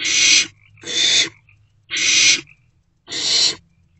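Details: Young barn owl in a nest box in the early morning hours of 16 March 2024, swallowing a rodent; four breathy screeching hisses, roughly half a second each, with short gaps of faint low noise.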